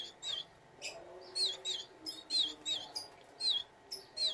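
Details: Canary from a breeding setting with chicks, giving short high chirping notes, some with sweeping downward tails, repeated roughly twice a second over a faint low background hum.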